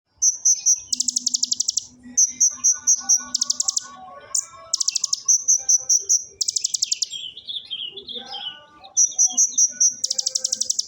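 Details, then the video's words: Oriental magpie-robin, known as konin, singing ciblek-style bursts copying the bar-winged prinia: runs of clear high whistled notes alternating with loud, rapid buzzy trills, then a short falling warble, faint low hum beneath. "Konin tembakan ciblek Ak47"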